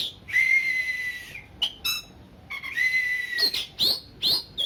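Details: Oriental magpie-robin, a kept bird, song played to raise aggression in a less combative magpie-robin: long steady pure whistles held over a second, then short clicks and rising whistled notes repeated quickly.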